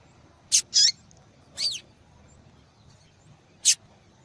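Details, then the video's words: Female yellow-bellied seedeater calling to stimulate a male to sing, as used in female-call tournaments; four short, very high chirps and a buzzy note spaced irregularly over four seconds against a quiet background. "Fêmea de Papa capim Chamando Para Esquentar Papa Capim"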